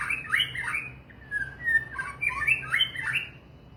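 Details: Murai batu, the white-rumped shama, delivering quick rich warbled phrases broken by a long smooth whistle, then another run of rapid slurred notes, over a low constant hum.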